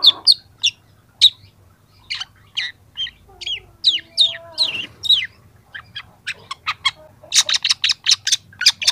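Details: Varied song of a young long-tailed shrike for training: scattered downslurred squeaky notes and short rasps, then a faster run of harsh chattering notes toward the end.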